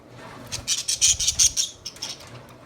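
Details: Budgerigar chirping: a quick run of high, scratchy chirps packed together for about a second, then a few scattered chirps trailing off.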